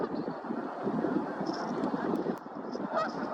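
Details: Canada Geese watched at Woods Edge Park, a busy mass of rough, overlapping honks that goes on throughout, with faint wind in the background.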